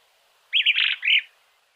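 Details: Small-billed Elaenia in Argentina delivering one short, burry, chattering phrase of several quick joined notes lasting under a second, with faint background hiss.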